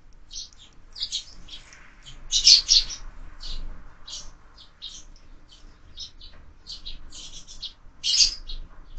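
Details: Sparrows brawling at a feeder mounted on a window, where birds are fed year-round: irregular sharp high chirps, with two loud clusters and quieter single notes between them.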